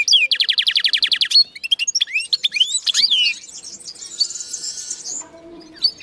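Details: Linnet x canary hybrid opens with a rapid, evenly repeated trill, then shifts into varied rising whistles and a buzzy high passage before fading.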